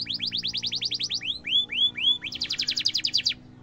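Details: Tutor song of a lively canary for training young birds: a fast run of sharp high downslurred notes, three looping rising whistles, then a dense rolling trill, with a steady low hum behind.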